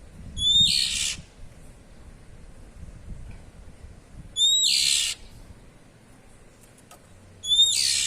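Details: White-rumped shama, a caged bird, giving harsh 'cier' calls: three loud raspy bursts with whistled upper tones, each about half a second long and repeated roughly every three and a half seconds over low background rumble.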